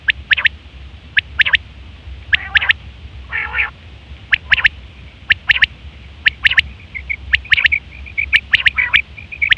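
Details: Calling female quail (batair) for luring birds: paired sharp chirps spaced about a second apart, a rasping nasal note near the start, then a soft rapid trill under the clicks, with steady low hum.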